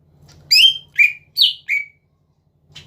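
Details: Greater green leafbird singing to provoke rivals into singing: four clear whistled notes, some slurred downward, spaced about half a second apart, then silence, over a faint low hum.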